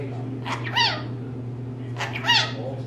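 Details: Female pet rainbow lorikeet talking in a room: two clear voice-like phrases with bending, speech-like tones about one and a half seconds apart, over a steady low hum.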